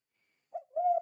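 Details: Spotted dove calling in the 'kuk 2' style used to draw other doves into calling: after silence, a brief soft coo, then a longer, steady, mellow low coo.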